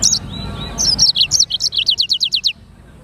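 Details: Lively song of a Black-throated canary, known locally as sanger. After a short opening phrase come about a dozen quick, high, evenly spaced downslurred notes. The song stops abruptly before the end.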